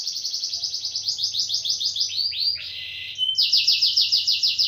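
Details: Canary singing in a lively style: a run of quick high repeated notes, then a few swooping downslurred notes and a brief buzzy roll before resuming a fast high trill; steady low hum in background.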